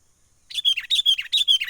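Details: Sooty-headed bulbul recorded in the wild, 'menggaruda' lure call meant to draw birds in for trapping: loud, bubbly phrases of rising-and-falling chirped notes repeated three times in quick succession, clean background.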